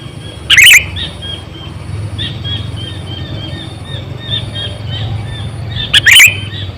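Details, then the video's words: Sooty-headed bulbul, a lure bird about eight to nine years old used to attract wild bulbuls, gives two loud, harsh chirping bursts about five seconds apart, with soft repeated chirps and a low rumble in between. "Suara Burung Kutilang Gacor,100%Suara kutilang Asli"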